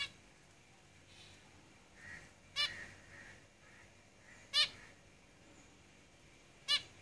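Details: Caged zebra finches give loud, nasal, toy-trumpet beeps about every two seconds, with softer chatter from other finches between them.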